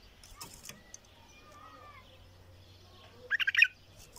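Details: Bulbul sings a short, rapid flurry of chirpy notes near the end, after faint background sounds and a soft whistle.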